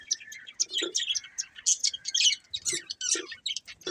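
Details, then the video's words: Chirping from a breeding pair of budgerigars: short, sharp twittering notes in quick irregular clusters, some clear whistled pips among rasping chatter. "Cute Budgies Chirping Sounds"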